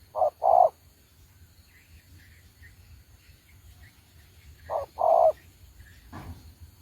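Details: Spotted dove used as a decoy for trapping gives two paired low coos separated by a long quiet gap, with faint higher chirps between.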